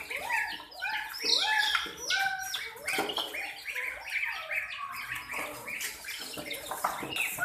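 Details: Chicken chicks, terrified while ducklings and a puppy attack them, fill the scene with loud, crowded, shrill down-arching peeps that overlap continuously from many birds.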